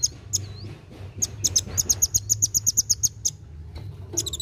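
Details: Kolibri wulung sunbird in vigorous, fast chattering song meant to stimulate young birds to sing: a rapid train of very high, sharp chips, about three per second, with a short gap near the start and a faint low hum beneath.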